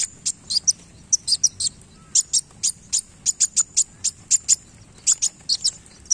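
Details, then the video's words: Sunbird in energetic song with tail play: crisp, piercing high chips and short tweets in rapid clusters, broken by brief pauses, over a quiet low background. "KOLIBRI WULUNG GACOR Main Ekor"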